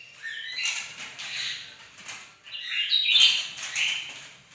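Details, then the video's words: A bird-of-paradise sings actively on a sunny morning, giving two swelling bursts of rapid, scratchy, high twittering and whistles separated by a short lull. "bagus si burung surga lagi gacor"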